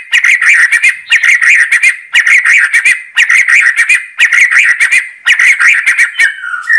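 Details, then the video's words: Repeated chattering phrases from a white-rumped shama, each about a second long and made of fast, scratchy warbled notes, ending in a short whistle. "Kicau Burung Murai Batu"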